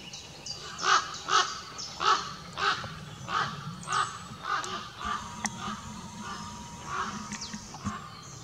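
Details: A group of four common ravens wheeling overhead for about 30 seconds in Southwick Forest, by the Woodnewton path, give a run of about a dozen hoarse croaking calls, roughly two a second, fading as the birds pass.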